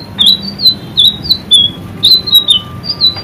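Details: Caged white-rumped shama singing energetically in a training recording: bursts of high, sharp down-slurred chips, about three per second in small clusters, with a faint steady tone in the background.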